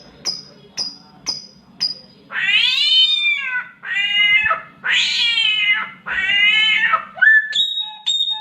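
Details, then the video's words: Mimicking samyong copying a cat's mating call: a run of quick high whistle pips, four loud wavering caterwaul wails, then clipped whistled notes with a falling slur. "SAMYONG MENIRUKAN SUARA KUCING KAWIN"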